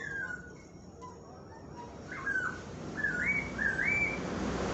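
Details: Sooty-headed bulbul song for training captive songbirds: soft whistled notes, then louder slurred, rising-then-falling whistled phrases repeated about once a second over a steady hiss of background noise.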